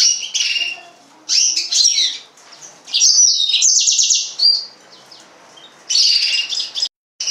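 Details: Yellow-fronted canary (Serinus mozambicus) singing bright, high bursts of rapid twittering and trills, each about a second long, separated by short pauses.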